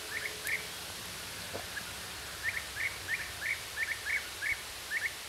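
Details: European bee-eater in Hungary, June 2012: short rolling chirps near mid pitch, given singly and in pairs, about a dozen over five seconds, over steady rushing background noise.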